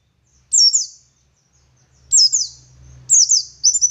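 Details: Oriental white-eye of the local West Java dakun type from Garut, singing in ngalas style: three short bursts of high, thin, downslurred twittering notes separated by pauses, with a faint low hum underneath.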